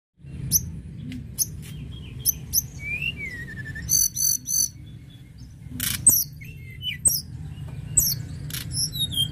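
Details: Lark song, called tledekan gunung, played to stimulate other birds to sing: scattered high whistled notes, short rising and falling slurs and sharp chirps, with brief gaps between phrases over a steady low hum.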